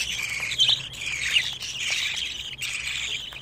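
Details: Budgerigar chicks, 25 days old, give dense raspy chattering calls in overlapping bursts, with brief louder squeaks and short gaps between bursts.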